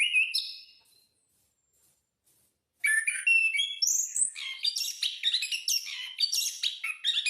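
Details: Caged orange-headed thrush song used for training: a short whistled phrase, a quiet gap of about two seconds, then a dense burst of rapid, varied high twittering and slurred whistles.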